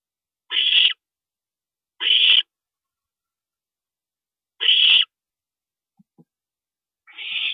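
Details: April 22, 2012, 2:40 AM: a parent owl visiting its nest utters harsh hissing screeches, three in quick succession, then a faint tap or two and a softer fourth rasp.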